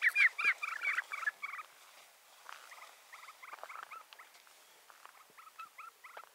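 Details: Rufous-bellied seedsnipe opening with a burst of loud, grating, rising-and-falling notes, then continuing in softer, rapid chattering bursts with short pauses between them.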